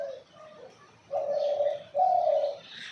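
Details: Dove calling in the morning: two loud, steady, low hollow coos of about a second each, preceded by fainter softer notes.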